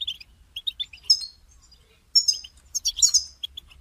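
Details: European goldfinch in a cage, calls played to prompt another caged bird to sing; scattered short liquid chirps, then a denser high twittering burst near the end.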